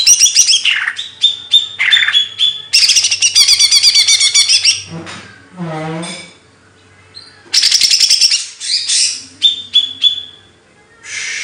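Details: Bird song training material with fast stuttering chatter and buzzy rattles repeated several times a second, a lower nasal harmonic wail in the middle, then more chattering phrases and thin whistles.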